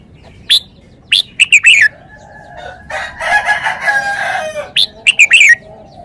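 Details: Red-whiskered bulbul delivering clear, chirpy whistled phrases of quick descending notes, repeated three times, with a long, harsh rooster crow running through the middle.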